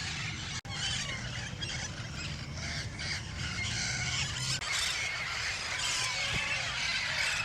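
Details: Hundreds of Amazon parrots flock into park trees at sunset in South Texas's Lower Rio Grande Valley in spring: a dense roost chorus of harsh, overlapping squawks and screeches without pause, faint low wind or traffic rumble beneath.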